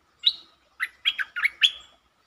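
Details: Streak-eared bulbul on 13 February 2023 giving a clear whistled opening note followed by four quick bubbly, slurred notes, delivered as a doubled song phrase.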